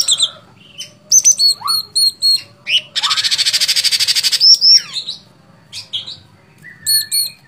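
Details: Sooty-headed bulbul singing loudly and persistently: sharp, high, clipped whistled phrases of three to four notes repeat, broken by a fast buzzy rattle of about twenty pulses and a lower rising slur.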